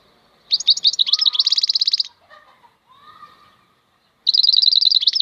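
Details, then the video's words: Wild European goldfinch (maknine khalwi) song: a high, tinkling run of fast twittered notes, then a brief softer, lower murmur, then another rapid bright trill. "MAKNINE KHALWI super chant مقنين خلوي"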